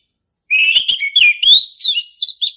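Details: Male orange-headed thrush in lively full song, a forest bird's voice used as a lure to teach young birds: a continuous run of varied whistled and warbled notes, some sliding up, some dropping, without pause.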